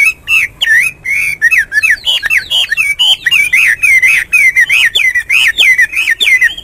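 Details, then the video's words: Hwamei singing a loud, fast stream of varied whistled notes, sliding up and down with ringing overtones, phrases tumbling together almost without pause. "Nghe chim họa mi hót hay mỗi sáng"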